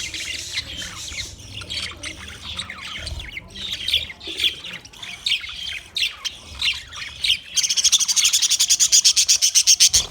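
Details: Budgerigars chattering with scratchy chirps, ending in a fast regular series of harsh squawks, about four per second.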